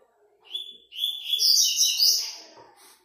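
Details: Competition song from a Double-collared seedeater at the fifth stage of an online tournament: an opening whistled note, then a long, loud, rolling phrase of quick bright twitters fading at the end.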